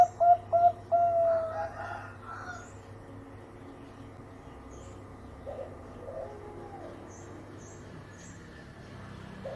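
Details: Zebra dove lure song, sweet-voiced, played to make other doves sing: a quick run of clear, mellow cooing notes in the first two seconds, then mostly low steady background hum with a few faint softer notes later.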